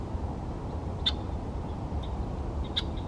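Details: A Red-winged Blackbird on 30 January 2024 gives three sharp, high 'check' notes at irregular intervals about a second apart, over a steady low rumble of wind or distant traffic.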